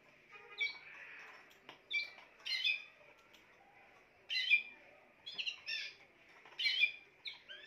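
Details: Spanish timbrado canary delivering a varied song: soft rolling trill at first, then louder clipped bursts and short rising whistles in uneven groups, with a faint continuous background tone.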